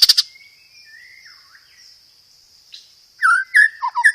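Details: White-rumped shama lure song, loud and clear: a brief harsh burst, soft drawn-out whistles, then several short, descending whistled notes near the end.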